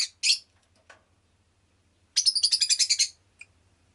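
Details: Rosy-faced lovebird, a pet, gives two harsh chirps, then after a pause a rapid run of about ten shrill chirps in roughly one second, closing with a faint single note.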